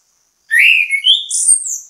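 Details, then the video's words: Orange-headed thrush (anis kembang), bait song meant to get other birds singing: one loud phrase of slurred whistles stepping up in pitch to a high, drawn-out note. "ANIS KEMBANG GACOR MEMBUAT ANIS KEMBANG IKUT BUNYI, PANCINGAN ANIS KEMBANG"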